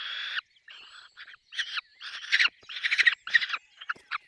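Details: Peregrine falcon at a nest, apparently with chicks, giving harsh, raspy screeching calls in uneven bursts, about ten in four seconds, some drawn out and wailing; no other sounds stand out.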